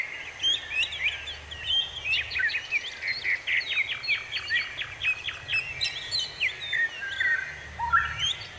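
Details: Several birds singing together outdoors, a rapid run of sharp ticking notes in the middle surrounded by whistled chirps, steady environmental hiss.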